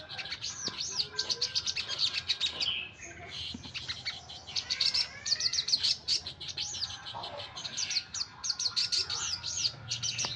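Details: Lively common iora song, busy high looped whistles and chattering trills broken by brief lulls, over a light background murmur.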